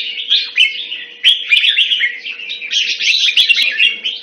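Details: Quick, energetic warbling from a hobby red-whiskered bulbul (jambul), with phrases tumbling out in a near-continuous stream over a faint hum.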